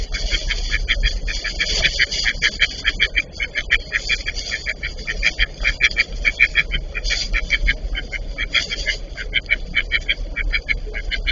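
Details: A pair of Eastern spot-billed ducks fighting; a dense, rapid series of short harsh quacking notes, close to two per second, running almost without pause over low background noise.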